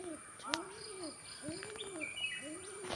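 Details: A male domestic pigeon (Columba livia) gives low, rolling coos calling to another pigeon, each a soft rising-then-falling hum about a second apart, with thin chirps of small birds and a faint steady whine behind.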